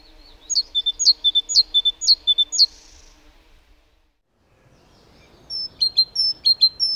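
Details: Garden recording of a great tit song, a ringing two-note teacher-like motif repeated five times in quick succession, a pause, then the same two-note phrase resumes four more times, with soft background hiss.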